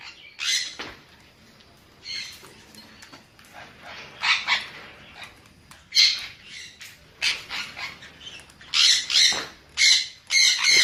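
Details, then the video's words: Shrill screeching calls from a sun conure, sparse at first and then clustered into loud ringing shrieks near the end. "เสียงนกแก้วซันคอร์นัว Conure Sounds"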